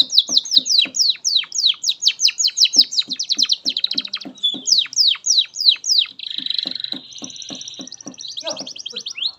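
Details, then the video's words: Canary song used as master song for training young canaries and ones that have stopped singing: rapid series of high descending whistled sweeps, repeated about twice per second, then a buzzy rattling stretch and a fast thin trill near the end. "SUARA BURUNG Kenari GACOR PANJANG INI Cocok untuk Masteran KENARI PAUD dan Kenari Macet BUNYI"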